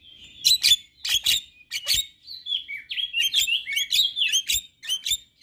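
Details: Song of a male white-eyed Javan myna, used to make other mynas join in: a few harsh bursts, then sliding whistles and a fast, jumbled run of chattering notes.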